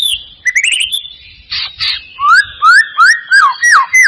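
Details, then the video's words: Lure recording of white-rumped shama song for prompting a bird to sing: a few rising whistles and harsh bursts, then five or six loud, clear whistled notes sliding downward at an even pace. "Pancingan murai batu mancet bunyi ‼️ pancingan murai batu males bunyi‼️respon cepat"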